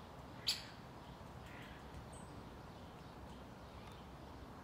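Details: Great spotted woodpecker in Tivoli Landscape Park, Ljubljana, on 26 June 2023 gives one sharp, high 'kik' near the start, then falls silent over steady hiss, with a faint high note from another bird.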